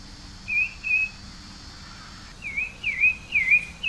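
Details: Pale-breasted thrush gives two short whistles, pauses over a second, then resumes with four quicker looping whistled notes, the later ones slightly louder and more warbled.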